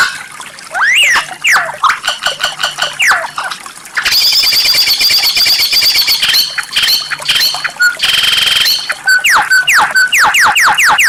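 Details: Murai batu (white-rumped shama) in a dense rare 'tembakan' song: tumbling slurred whistles, quick rattling chatter, a harsh buzzy burst and rising flicked notes, over a faint steady low hum.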